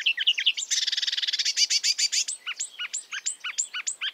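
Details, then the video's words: Marsh warbler singing in the wild: a rapid, varied run of high whistled slurs, then a dense buzzy chattering stretch, ending with repeated hooked, downslurred notes. "kicauan merdu burung marsh warbler / kerak basi di alam bebas"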